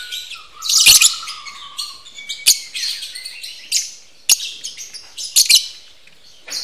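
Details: Captive lovebirds in a breeding aviary during mating. A loud shrill chirp burst is followed by a long level whistle. Sharp clicks and scattered high chirps repeat through the rest of the clip.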